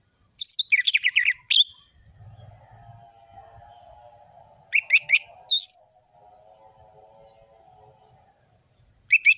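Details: Orange-headed thrush song in the ngeplong style with full variation: a fast burst of rattling, sharply whistled notes, a long pause with soft low hum, then short sharp notes, a buzzy high whistle, and another brief burst.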